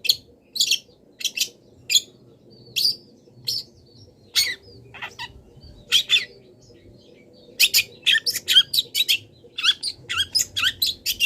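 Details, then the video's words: Long-tailed shrike singing a song filled with mimicked wild-bird calls, used for training cage birds. Spaced, sharp, buzzy high notes at first, then a rapid string of chirps and twitters near the end. "PENTET GACOR - MASTERAN PENTET FULL ISIAN BURUNG LIAR"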